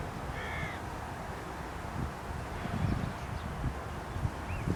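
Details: Carrion crow "singing" from a post at Aranoltza in Zamudio, Bizkaia, Spain, on 12 June 2020: one short, rasping caw near the start, followed by a faint higher note at the end, with low thumps and rumbling noise throughout.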